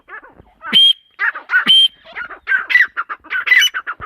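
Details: Calling female teetar: shrill squeals spaced about a second apart, then a steady series of rough, grating notes repeated roughly once per second.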